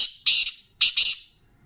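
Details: Black francolin, a kept bird, gives a short harsh call of two loud buzzy bursts, the second split into a quick double note, high-pitched and rasping, with no other sounds.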